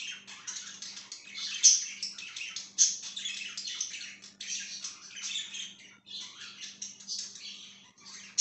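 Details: Pet budgerigar chirping, 5/10/2023: lively, rapid scratchy twittering and warbles with a few bright squeaks, nearly continuous, over a faint steady hum.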